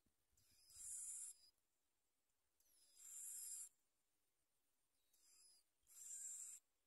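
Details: Bar-winged prinia nestlings in the nest begging while being fed by their mother; bursts of high, hissy, shrill begging calls in three or four loud bouts about two seconds apart, with quiet gaps between.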